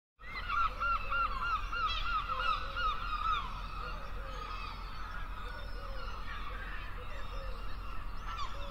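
Gulls give harsh, nasal, honking calls in quick overlapping runs, several birds at once, over a steady low rumble of wind or surf.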